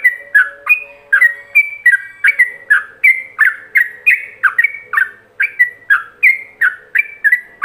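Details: Fast-paced yellow-vented bulbul song in the ropelan manner, intended for other bulbuls to imitate: repeated bubbly, whistled notes swinging between higher and lower pitches, about three per second, over a faint hum.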